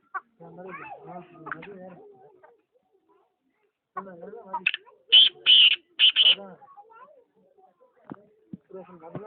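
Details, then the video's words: Black francolin in Pakistan calling: a burst of four or five loud, harsh, high grating notes in quick succession mid-clip, with a man talking before and after. "kala teeter ki awaz"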